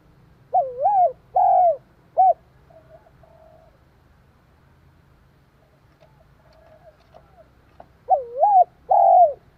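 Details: Spotted dove repeating its coo to stimulate another dove. A three-note phrase opens, followed by several seconds of faint quiet cooing. The phrase then returns with a wavering first note and a long falling second.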